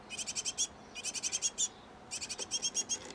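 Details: Great tits at a nest box, the pair feeding nestlings; three clear bursts of quick, sharp high chirps, each around half a second long, separated by short pauses.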